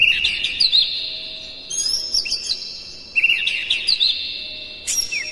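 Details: Oriental magpie-robin (kacer) song used as bait to provoke other magpie-robins into singing, a dense, hard style; four loud bursts of rapid high whistles and scratchy trills, each one to two seconds, with short pauses between.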